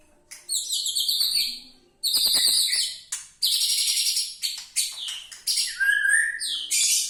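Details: Murai batu, the White-rumped shama, in a full 'isian' song: high, rapid trills and rattles broken by short gaps, then a sliding, lower whistled phrase near the end.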